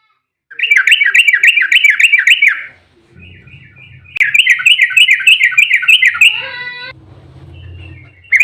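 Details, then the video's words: Yellow-vented bulbul giving an excited fighting song used to lure bulbuls into answering: two long runs of fast rolling, repeated warbled notes, with a brief buzzy tone and low rumble between. "trucukan GACOR EMOSI ROPEL RAPAT buat pancingan trucuk agar cepat bunyi"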